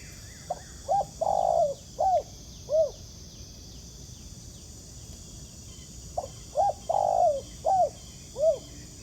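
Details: Wild spotted dove cooing in response to a decoy during ground trapping: low hooting phrases of four or five notes, with a long drawn middle note, repeated after a four-second pause, with insect hum in the background.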